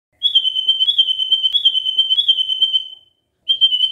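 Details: Lure song of a White-rumped shama for prompting other shamas to respond: one high, steady, pulsed whistle held about three seconds, then a brief pause before it starts again.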